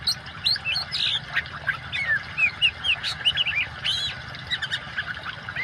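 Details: Oriental magpie-robin in vigorous song combined with running water, used to help silent birds resume singing: dense, varied whistles and rising-falling slurs, crowded sequences with brief gaps, over a continuous watery background.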